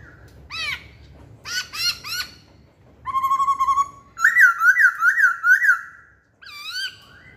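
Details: Poksay hongkong, the masked laughingthrush, singing as a lure: scattered looping chirps, a buzzy steady whistle, then a loud wavering trill of about five pulses and a final swooping note.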